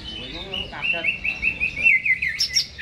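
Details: Greater green leafbird, caged and singing eagerly before being hung up. It delivers a continuous warbled run of clear whistled notes, fairly level in pitch, with a brief high squeaky flourish at the end.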